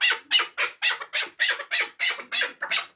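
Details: Chukar partridge from Samarkand calling close by with loud, harsh, squawking notes repeated about three times a second in an even rhythm.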